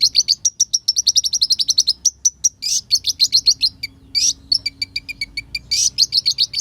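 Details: Lure song of an olive-backed sunbird, full and rich with borrowed phrases, used to provoke birds into quick agitation; fast runs of thin, high chips, several rasping bursts, then evenly spaced downslurred notes, in a quiet background.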